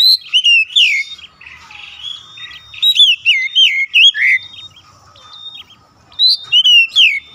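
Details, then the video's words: Oriental magpie-robin sings bright, varied whistled phrases of rising and falling slurs mixed with sharp chips, in bursts with short pauses; a lure song meant to set other magpie-robins singing. "Kacer lain langsung gacor ngotot bongkar isian"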